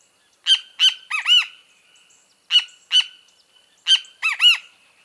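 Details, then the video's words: Great kiskadee (Pitangus sulphuratus) singing: three loud phrases about 1.7 seconds apart, each with two harsh, broad notes followed by a pair of arched, nasal notes, with silence between. "O CANTO DO BEM-TE-VI (Pitangus sulphuratus)"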